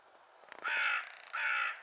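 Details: Hooded crow (Corvus cornix) at Žale cemetery, Ljubljana, on 7 February 2023, gives two harsh, hoarse caws, each about a third of a second long, the second after a brief pause; a few soft clicks come before.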